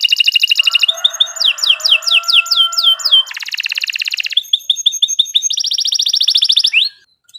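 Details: Canary in full song: fast repeated chips, a string of downward-sweeping whistles, then several long rapid rolling trills and short note series, ending abruptly in silence.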